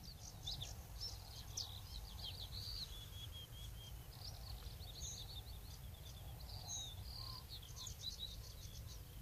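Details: Singing Bluethroat (Luscinia svecica), Woumen, 2018: faint, scattered high chirps and short whistled phrases, partly masked by a constant low rumble of ambient noise.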